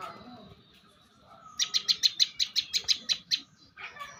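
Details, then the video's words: Bar-winged prinia, a prized competition singer, giving a rapid run of about eleven sharp, high chip notes, evenly spaced and bright, after a quieter stretch of soft background chatter. "Suara Prenjak Lumut Juara"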